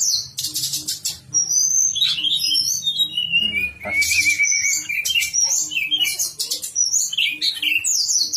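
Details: Javan sunbird song used as a master track to stimulate singing: long, dense run of high twittering and chattering notes, interrupted by scratchy noise bursts and one rising then falling whistled slur.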